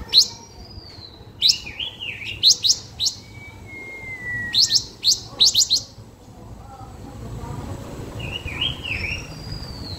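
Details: Blue-winged minla singing as a lure bird, giving bright, high whistled notes in quick bursts, some rising and falling, with a long thin descending whistle between phrases.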